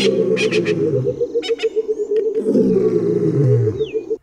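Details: Burchell's coucal, Kruger, delivering a loud liquid bubbling call: low hoots pour out in a rapid even stream for about four seconds. Short harsh bursts at the start, a falling whistle near the end, and deeper rumbling notes underneath.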